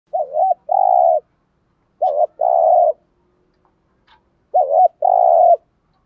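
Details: Spotted dove cooing in the morning, from male and female doves used to prompt newly caught doves to call. Three paired phrases: a short wavering note, then a longer steady mellow coo, repeated about every two seconds in a quiet setting.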